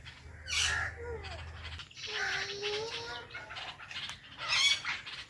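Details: Two household ringneck parrots, Indian and blue: a squawk, then a drawn-out flat nasal call held about a second, and a final sharp shriek, over low background hum.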